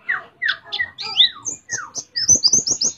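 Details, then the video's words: White-eye, endemic to Mount Ciremai in West Java, singing canary-imitation phrases: varied sliding whistles and chirps, descending notes, then a fast series of very high, thin twittered notes. "Pleci Nembak Kenarian"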